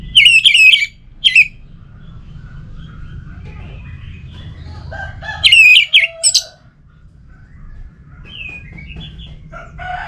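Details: Orange-headed thrush lure song from Singaraja, North Bali: two bursts of loud, sharp whistled notes, each a quick cluster of three or four, with fainter softer calls and clicks between.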